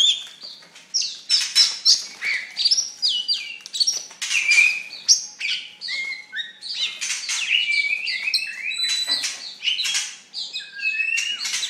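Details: Oriental magpie-robin, described as a fierce songster, delivering a rich varied song of clear whistled notes, slurred rising and falling phrases and short chirps, continuous across the recording with no other clear sounds.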